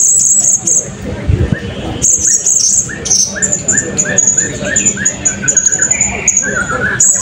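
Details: Blue-crowned hanging parrot singing in a 2024 open contest at Balingian: long shrill high trills alongside a rhythmic run of lower, evenly spaced chirps, set against crowd noise.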